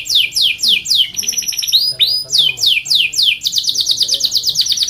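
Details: Canary in full song, meant for tutoring and drawing out other canaries: loud descending whistled notes in rapid series, a brief rattling roll, then a steady run of quick slurred notes.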